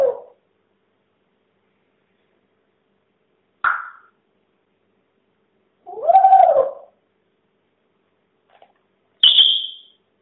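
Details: Talking pet parrot giving a spooky Halloween message: a few separate short utterances spaced by long silences, including a brief low note, a quick rising sound, a rough wavering voice-like phrase and a sharp high whistle.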